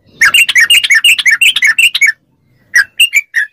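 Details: Yellow-vented bulbul song used as training audio to make kept bulbuls answer: a quick run of bubbly, liquid notes for about two seconds, a short silence, then four more clear chirps.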